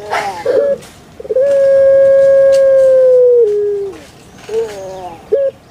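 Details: Kept puter pelung dove: a few short rough notes, then a very long, steady, hollow drawn-out coo of about two seconds that drops slightly at the end, followed by brief quieter notes.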